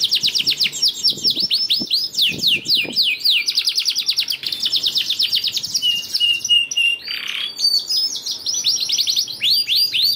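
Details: Canary song serving as a lure for lazy singers: long runs of rapid descending chirps, brief pure whistled tones, a short low slurred note, then fast trills again, with faint background clicks early on.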